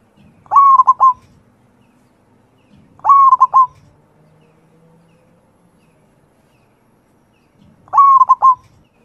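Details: A local zebra dove (perkutut lokal) singing its manggung song: three bursts of soft, rolling cooing, each a quick stutter of notes ending in a short trill, spaced about every two to four seconds.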